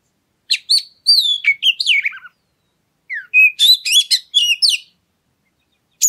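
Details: Oriental magpie-robin used to provoke other birds into song: two varied phrases of clear whistles, downward slurs and sharp chirps, separated by a pause of under a second, with a final note starting at the end.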